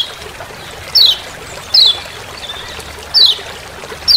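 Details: Sparse 'ciak ciak' call of a Lemon-bellied white-eye from forest on Lombok: four short, high, steeply dropping chips separated by gaps of one to one and a half seconds over steady faint hiss.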